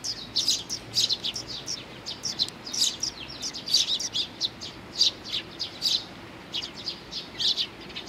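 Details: Eurasian tree sparrows, several, arriving to be fed at Mizukami Bridge on 4 June 2020; high, short chirps come in quick bursts, overlapping from different birds, with a faint low background hum.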